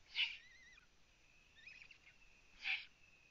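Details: At a Latvian eagle-owl nest filmed live in the small hours of 9 June 2017 while prey is delivered: two loud wheezy rasps, with thin wavering whistled squeaks in between.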